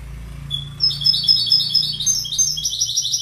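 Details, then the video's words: Goldfinch singing a rapid, tinkling twitter of high, bright notes that starts after a short quiet pause and runs continuously with quick trills and chirps, over a faint low hum. "Goldfinch Bird Sound"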